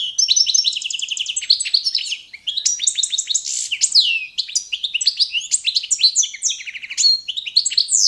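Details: Balkan goldfinch, Carduelis carduelis balcanica, delivering competition-standard song for training: an opening fast trill, then a steady flow of high twitters, slurred downward whistles and short rattles with small gaps.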